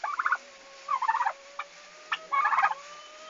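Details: Farm turkeys on the day they arrived, 11 August 2015, Estonia: three rattling gobble bursts about a second apart over a faint steady piping whistle.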